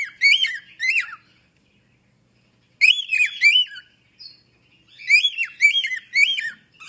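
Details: Clear arched syllables from an African grey parrot come in groups: two notes, then three, then four, separated by short silences with a faint note in between.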